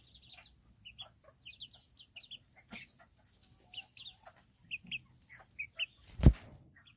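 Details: Serama chickens, the world's smallest chicken breed, in a coop on a cool day: a scatter of short, soft clucks and chirps, a sudden wing-flap burst near the end, and a steady high electrical hum throughout.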